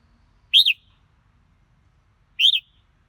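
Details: Red-whiskered bulbul repeating a short whistled note that rises then falls, heard twice about two seconds apart in a quiet setting.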